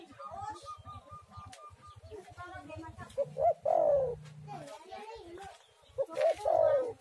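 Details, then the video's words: Spotted dove song, a recording for luring doves into song: soft low murmuring and clutter at first, then two clear phrases of short clipped notes leading into a longer falling coo. "tekukur super gacor sekali putar langsung nyaut"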